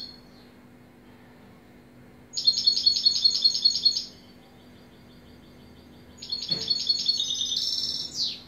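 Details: European goldfinch song: a phrase of quick, evenly repeated high notes, a pause, then a second run that ends in a buzzy rattle and a falling slurred note, plus a brief thump.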